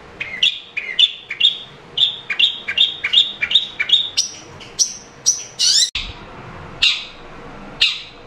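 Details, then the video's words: Long-tailed shrike song used to coax a caged shrike that is slow to sing: an even series of sharp dropping notes about three per second, then higher rasping whistles and a few spaced scratchy notes. "Pancingan cendet malas bunyi"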